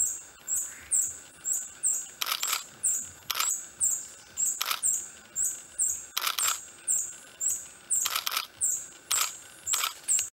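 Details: A Long-tailed Hermit (ssp. muelleri) at its display arena in dark forest understory, Santa Bárbara do Pará, Brazil, in June 2014, repeats a thin, very high squeaky note about twice a second, with sharp broadband clicks about every second.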